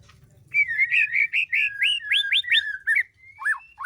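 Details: White-rumped shama in breeding condition, kept at a breeding aviary in mating season, delivering a run of rapid rolling whistled notes followed by a long thin whistle and two sharp downward-swooping notes.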